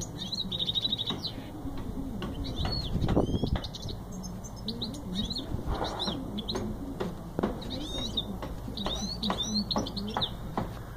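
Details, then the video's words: Goldfinch mule in song, fast twittering notes and trills delivered in bursts, mixed with wing flutters and clattering movement sounds, all over a low steady hum. "Goldfinch mule singing"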